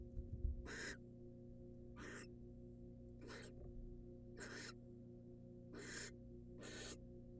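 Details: Wild barn owl female in a nest box after receiving a rat from the male: six short, raspy hissing bursts at irregular spacing, with a faint knock at the start.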